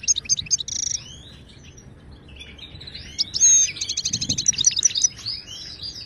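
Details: Moroccan European goldfinch song, used as a model for caged birds learning to sing: quick chirps and a short buzzy trill, then liquid twittering and a loud, fast rattling passage of rapid high notes.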